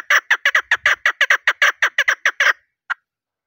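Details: A female chukar gives a rapid burst of harsh, clipped chuk notes, about a dozen in quick succession, then breaks off and adds one last isolated note. Hunters use this sound to bring males, which reply.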